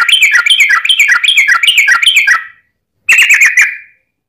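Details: Fighting song of the yellow-vented bulbul, played as a lure for other bulbuls: a fast, continuous stream of bright, bubbly notes, then a short pause and one more quick chattering phrase that trails off.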